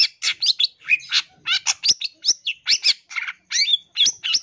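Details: Long-tailed shrike tutor recording: continuous fast chattering song of varied scratchy and whistled notes, each a fraction of a second long, with almost no pauses.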